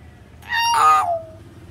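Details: Common hill myna, intended to prompt a silent bird to sing: one rich, buzzy, meow-like call of about a second, harmonic and nasal, fading into a lower sliding tail.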